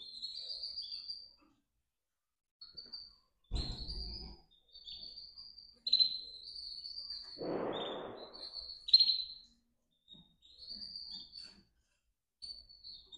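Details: Nest of four domestic canary chicks in captivity, recorded 28 June 2024: high-pitched thin peeping calls repeated in short bursts every second or two, with brief rustling and handling noises in between.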